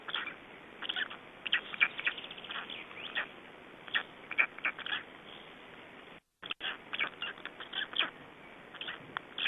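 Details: Black Stork chicks, three days old, recorded in Estonia in 2012, call almost continuously with rapid, rough, short peeps in irregular bursts; sound briefly cuts out once.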